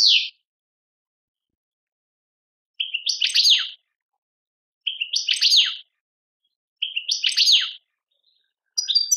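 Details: European goldfinch in Tadmait, Algeria, repeating a short, fixed phrase about every two seconds: a quick note followed by a rippling, descending burst of chirps, separated by silence.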